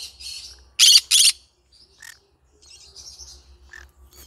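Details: Yellow-sided green-cheeked conure: two loud harsh squawks close together after soft raspy chatter, then scattered quiet squeaks and short notes.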